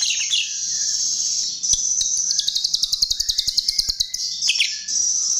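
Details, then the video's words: Chestnut-tailed starling, recorded as a lure: a long shrill high hum with a burst of quick, evenly spaced sharp chirps in the middle, and faint lower whistles between them. "Pancingan Jalak RIO RIO"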